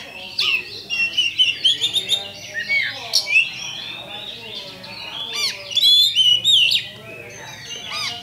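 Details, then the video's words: Champion kacer, Oriental magpie-robin, singing a lure song to provoke rivals into fighting: bursts of varied whistles, chirps and slurred notes separated by short quieter gaps. "LANSUNG TARUNG ! PANCINGAN KACER JUARA"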